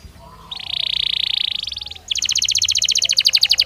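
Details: A Belgian canary sings in a natural way. A buzzy, rattling trill lasts about one and a half seconds, a short pause follows, then a rapid, even series of sharp repeated notes. Faint background hum.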